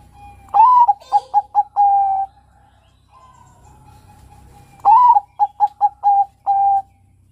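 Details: Bangkok zebra dove, a young male, gives two mellow cooing phrases about four seconds apart. Each phrase has a swelling first note, a quick run of four short notes and a drawn-out steady final coo.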